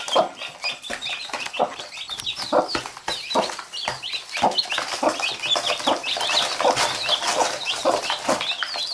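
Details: Mother hen and chicks, the chicks biting and the hen pecking back: a long run of low, repeated hen clucks under a constant chorus of high chick cheeping.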